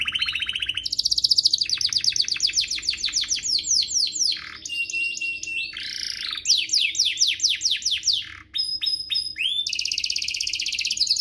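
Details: Canary song used as a tutor for juvenile canaries and to spur other canaries into full song, with fast trills, rapid downward-sweeping rolls, a steady whistled note and bright high chattering tours changing every second or two.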